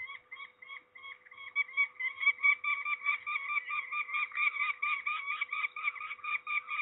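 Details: Peregrine falcon at Trzebież, Poland, during ringing on 13 May 2019, giving rasping nasal calls that quicken and grow louder into a dense chattering series.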